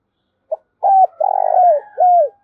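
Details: Spotted dove 'thúc gáy' urging call for provoking wild doves: a quick pip, then a flat coo, a long trilled, throbbing coo sliding down, and a closing falling coo, all in one tight phrase.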